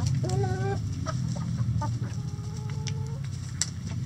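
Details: Hens in a chicken coop making drawn-out, nasal, tonal calls, one short and one longer and level, with scattered clucks over a steady low hum.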